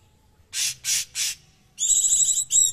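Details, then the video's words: Cucak cungkok bulbul, a song-training master bird prized for its coarse, dense voice: three harsh, explosive high-pitched bursts in quick succession, then a longer buzzy, rasping phrase and a final short rasp, all loud. "Burung Sejuta tembakan"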